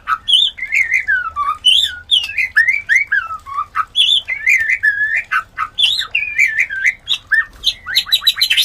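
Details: White-rumped shama mating call used to get other shamas breeding: loud, clear whistled phrases, each sliding down then up, repeated about twice a second with clicking notes between.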